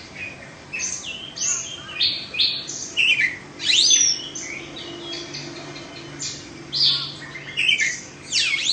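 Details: Two-season caged Oriental magpie-robin of Indonesian origin, free of faults. It delivers separate phrases of steep rising and falling whistles mixed with sharp chips, spaced by short gaps. Constant low hum in the room.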